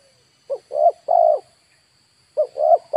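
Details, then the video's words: Lure spotted dove in Indonesia: two mellow three-note cooing phrases, a short coo, a wavering coo and a longer steady coo, about two seconds apart. "DERKUKU/TEKUKUR PIKAT DI HAJAR BURUNG LIAR"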